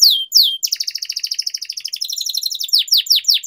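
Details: Canary master song for training young or silent canaries, long-rolling style: two swooping whistles open into a rapid stuttering trill of bright pulsed notes, ending in falling slurred whistles.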